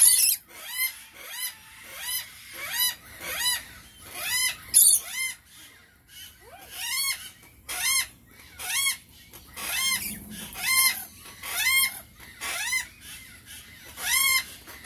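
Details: Rainbow lorikeet repeating harsh arched calls in loose bursts across a long stretch, one call roughly every second, with short silences and occasional doubled notes.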